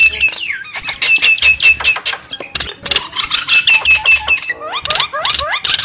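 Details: Lure sound of Javan mynas used to attract wild birds: clipped, repeated whistled notes and dry rattles, then a run of falling slurred whistles near the end.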